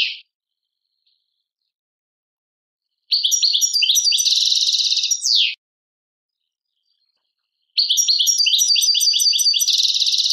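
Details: Algerian goldfinch song called Tadmait: two long phrases separated by silence, each a rapid string of high chirps leading into a dense buzzy trill and a downward sweep.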